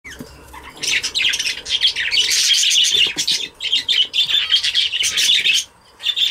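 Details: Lacewing budgerigar, a pet parakeet, chattering almost continuously with dense, scratchy warbles and squawks full of rapid trills, harsh buzzy notes and short chirps, brief pauses near the start and end.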